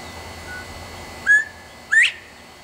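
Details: Two-note whistle of a male Northern Bobwhite perched in a tree in Texas, calling loudly. The brief flat note leads into a quickly rising, ringing whistle, over quiet low background hum.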